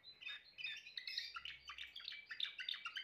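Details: Timbrado canary giving a steady, rolling stream of quick, slurred notes, repeated several times per second. A faint low hum runs underneath.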